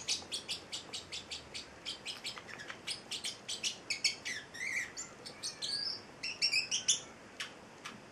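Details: Pet male Celestial parrotlet, eight weeks old, producing a long run of rapid, sharp high chirps about two per second, breaking into denser twittering and squeaky notes toward the end.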